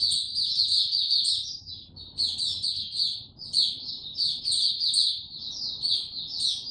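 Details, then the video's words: Continuous high-pitched warbling from a caged white-eye, 29 April 2022, no health supplements: quick chattering notes strung into long run-on phrases with piercing sharper accents, one short gap near the middle. "Mata Puteh Hercules buka sing"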